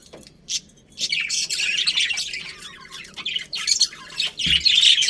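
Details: Budgies in a colony kept as breeding pairs: scattered high chirps at first, building into continuous scratchy chatter with sharp squeaks, and a brief low knock near the end.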